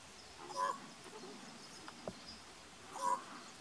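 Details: Soft quork calls of a common raven, recorded at Point Reyes National Seashore on 26 June: two brief, rounded, croaking notes about two and a half seconds apart against a quiet, hissy outdoor background.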